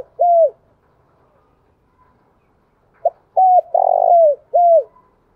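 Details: Spotted dove cooing, meant to provoke rival males: clear hooked coo notes, a short note, then a long steady coo followed by two more falling hoots.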